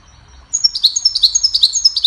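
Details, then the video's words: Goldfinch used to teach other songbirds, singing a cheerful melody: a rapid, sparkling stream of high chirps and twitters that begins after half a second and keeps a quick, even pace to the end. "Goldfinch sings a cheerful melody to teach the birds goldfinch chirping"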